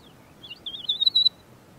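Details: Large-billed Lark in the Karoo giving part of its loud, clear fluty song: a short high whistled phrase that wavers, then a brighter warbled run near the end, over a quiet background.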